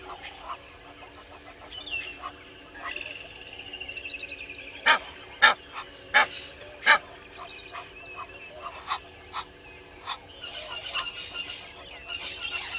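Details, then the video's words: Egyptian goose pair at dawn, 05:32, Gowrie dam waterhole on Djuma Game Reserve, Sabi Sand, South Africa, 12/01/20, from a live waterhole camera: a run of sharp, harsh honks midway, among chirping and whistling of other birds. "Egyptian Goose pair"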